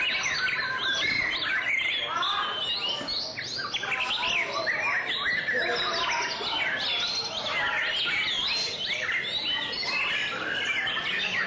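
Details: White-rumped shama in song display, pouring out a long, busy medley of whistles, chatters and sharp chirps with little break, some overlapping notes and constant background hiss.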